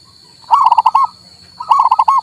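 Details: Male zebra dove of local stock, used to prompt a mute bird to sing: two fast phrases of about five purring coos each, evenly spaced, with a continuous high whine behind.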